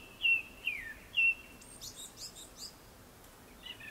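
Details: Before sunset, a Japanese thrush gives three loud, clear whistled notes, the middle one sliding downward, then a quick series of soft, very high, scratchy twitters.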